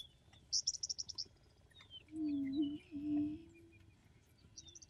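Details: Endangered Attwater's prairie-chicken of Texas coastal prairie giving two low, hollow booming hoots about a second each, preceded by a rapid high chattering trill from another bird and thin whistles around.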